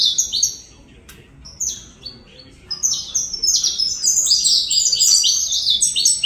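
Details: A saffron finch sings in the Colombian canário-da-terra manner, starting with scattered high notes, then building into a rapid, loud sequence of downward-sweeping chirps.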